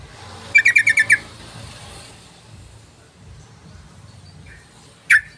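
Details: Sooty-headed bulbul lure call used to attract other birds: a quick burst of six sharp, bright chirps, then a pause and one more loud chirp near the end, over faint low pulsing in the background.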